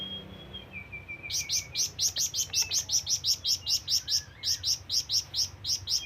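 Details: After a faint thin whistle, a flamboyan bird launches into its companion- and rival-calling series, a brisk run of loud, shrill chirps, nearly two per second, continuing steadily to the end.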